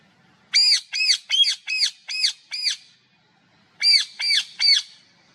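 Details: Parrot calling with loud, rasping squawks: a run of six evenly spaced notes, a one-second pause, then three more.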